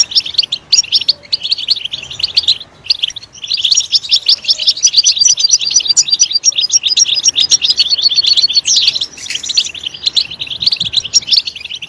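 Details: A goldfinch sings loudly when stimulated, an almost nonstop run of rapid liquid twittering. A brief gap comes near three seconds, then a long, intense stretch of high, tinkling notes.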